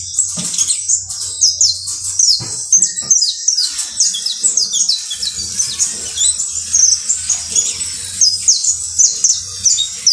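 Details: Saffron finch song, the bird called canario basto criollo: a lively, continuous stream of bright descending chirps and trills at high pitch, rhythmic and insistent, with brief pauses and faint low background hum.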